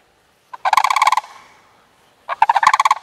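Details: Two sandhill cranes, male and female, leaping playfully early in the year: rapid, harsh, rolling rattles in two long bursts, the second following about a second after the first fades.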